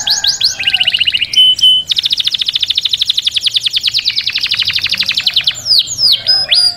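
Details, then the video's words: Canary song meant to stimulate mating in canaries. Opens with quick chirps and clipped whistles, then a long, fast, even trill of sharp repeated notes lasting over three seconds, ending in sweeping whistled slurs and chirps. "تغريد كناري ممتع Canário cantando é divertido"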